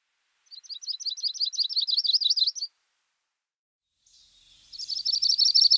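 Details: Yellow-rumped Warbler (Setophaga coronata) giving two high, sweet trills of rapid slurred notes, the first lasting about two seconds; a second variation begins after a short pause, its inconsistent song united by a half-hearted, fading trill.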